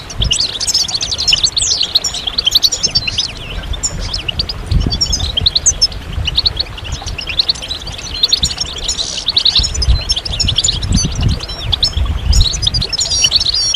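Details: Long chorus of European goldfinches, a group song and call sequence to stimulate males out of moult and into song. Continuous overlapping twitters, trills and sharp chirps, with intermittent low rumbling noise.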